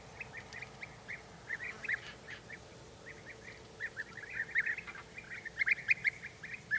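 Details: European bee-eater (Merops apiaster), flock calls.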